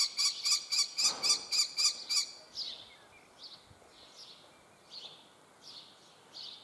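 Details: Young common kestrel begging: a quick run of about nine loud, shrill, harmonic-rich notes in two seconds, then softer, slightly falling whining calls spaced roughly every half second to second.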